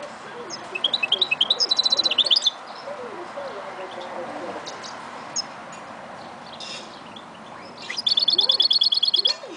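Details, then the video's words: Goldfinch mule recorded in 2011 singing bursts of rapid high metallic trills and twitters, with quieter notes between, over a steady noisy background. "Mule Goldfinch 2011"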